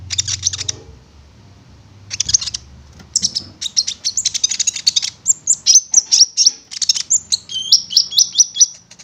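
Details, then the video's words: Konin (prinia) singing as a lure to get the bird to sound off: dense buzzy high chatter, then rapid repeated chips, ending in a quick series of clipped whistled notes over faint low rumble. "Pancingan Konin Agar Bunyi"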